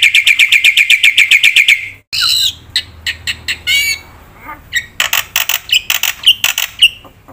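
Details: Singing Black-winged myna, a lure and master recording for non-singing birds: an even burst of fast repeated chirps, a break, then scattered harsh squawks, rising whistles and a closing set of sharp high notes.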